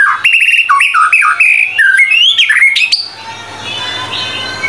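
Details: Fast varied song of a White-rumped shama for master training: quick chattering trills, jumps between whistled notes and short buzzy phrases for three seconds, then fading to quiet hum with a faint distant note.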